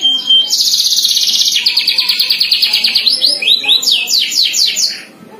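A domestic canary sings a loud, high tour of fast trills, then clear repeated whistled notes, all bright and continuous with no other sounds.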